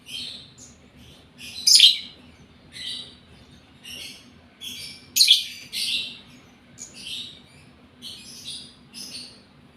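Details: Lovebird in breeding condition, caged, uttering scattered harsh, raspy chirps in short bursts separated by pauses, some louder and shriller than others.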